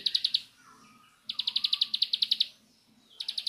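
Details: Short rapid volleys of piercing, evenly spaced chips from a Bar-winged prinia in the nembak style, each volley about a second long, with soft faint whistles filling the quiet pauses.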